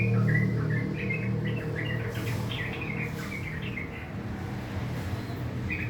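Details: Rough 'ngriwik' chattering from a kept sooty-headed bulbul in the morning, quick choppy chirps repeated about four per second in uneven bursts, over a persistent low rumble.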